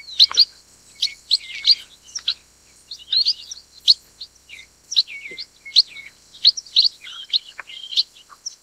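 Chestnut Munias give thin, high chirps and short squeaky notes, several to a second, in an irregular chatter over a faint steady high hiss.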